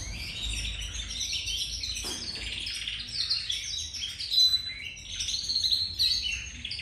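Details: Several young domestic canaries bred in captivity starting to sing: overlapping high twittering and scratchy warbles, soft and unsteady, with a few brief clear whistled notes and a faint low background hum.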